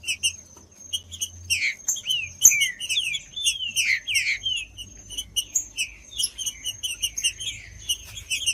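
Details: Stimulating song of a green-winged saltator for warming up breeders' birds: long series of quick downward-curving whistled notes, densely packed from two to five seconds, with sharp high chips continuing and a faint steady tone.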